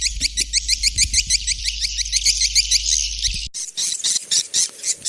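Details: A swift run of short, rising twittering notes from a white-nest swiftlet over a faint hum. It then cuts abruptly to harsher, noisier chattering.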